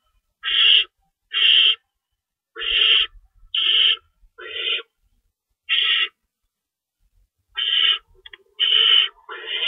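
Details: Owl nest feeding session, 3:53 AM, March 25, 2012, with two rabbits in store and an adult staying to shred; scattered raspy screeches, some in pairs, separated by longer quiet spells and light knocks.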